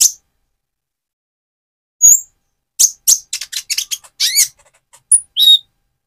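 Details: Van Hasselt's sunbird in spotted plumage moulting toward metallic feathers, singing to provoke and fire up another sunbird: a sharp high chirp, then after a pause a rapid burst of thin, high, buzzy twittering notes and short whistles.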